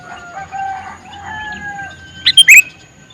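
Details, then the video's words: Faint thin whistles from other birds lead into one brisk, bubbly three-note call from a male sooty-headed bulbul near the end. "Suara Burung Kutilang Jantan MeManggil"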